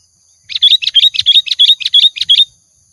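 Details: Sooty-headed bulbul (kutilang) used as a lure sound, singing busily: a fast run of about eight identical bright chirped notes, evenly spaced over two seconds, over a constant high-pitched hum.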